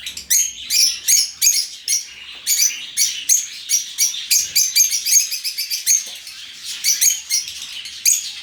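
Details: Lovebirds in an open aviary, a flock giving shrill, high chirps in dense overlapping bursts, several per second, with brief pauses around two and six seconds.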